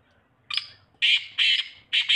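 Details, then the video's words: Black francolin giving loud, scratchy, squawking notes: a short opening burst, then three longer harsh rasps in steady rhythm roughly every half second, with faint low rumble beneath. "kala teetar awaz|black francoline voice"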